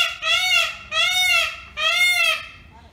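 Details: Indian peafowl in a small village: three loud, nasal, wailing calls, each gently arched in pitch and rich in overtones, coming in quick succession about every eight-tenths of a second, with a quiet background.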